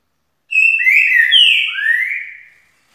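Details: Trinca-ferro, the green-winged saltator, delivering a loud whistled song of about two seconds: flat opening note, overlapping slurred notes, a bright high whistle gliding down, and a final lower upslurred note.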